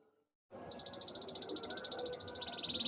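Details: Canary singing with imitations of Ciblek and Ciwah, including click-click notes, offered as a master recording for training other birds: after a half-second of silence, a very fast, high buzzing trill that grows steadily louder.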